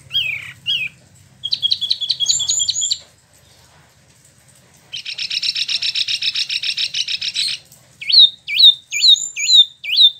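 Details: Caged spot-throated babbler, known locally as Wambi Mini or Tieu Mi, an import from mainland China and Vietnam kept in Bandung, West Java, Indonesia, singing in rolling style: slurred whistles, a rapid buzzy trill, then loud downslurred whistled notes repeated.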